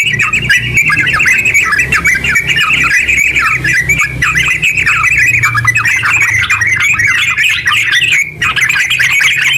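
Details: Sooty-headed bulbul in long continuous ngeropel song for stimulating other bulbuls: chattering, squawky warble pouring out nonstop, with a short break near the end and a faint low hum underneath.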